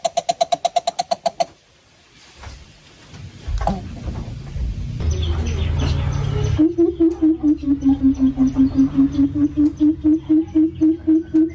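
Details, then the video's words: Coucal in an aviary calling to its flock: a brief higher run of rapid hoots opens, then a gap of rumbling noise, followed by a long steady series of deep, resonant hoots repeated about four times a second, with faint chirps from other birds. "Sound of The Coucal Call to its Flock"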